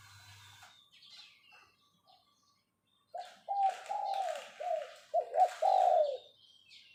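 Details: Spotted dove decoy bird in captivity giving its phao-phao luring call: after quiet faint sounds, a run of low mellow coos rises into a stuttered series ending in a long drawn-out coo, with some rattling noise.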